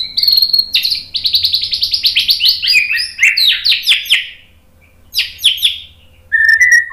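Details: Energetic White-rumped shama song for baiting birds into replying: a long fast series of chattering, buzzy notes, a pause, then a sharp burst and a clean whistle.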